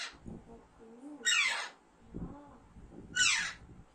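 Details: Baby Alexandrine parakeet kept as a pet and raised from young: two loud, harsh descending screeches about two seconds apart, with soft human speech and low murmuring between them.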